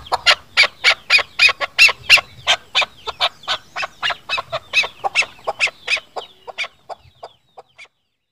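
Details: Chukar partridge call, from Pakistan, used as a hunting lure: a rapid run of harsh, clucking chuck notes, about 25 in eight seconds, steady at first, then slowing and fading toward the end.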